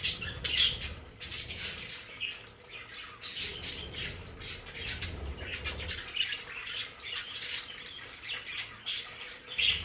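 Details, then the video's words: Pet budgerigars in a home play area, sharp squawks and chirps jumping out of constant chattering, with bursts of louder calls every second or two. "Sonidos de periquitos Australianos"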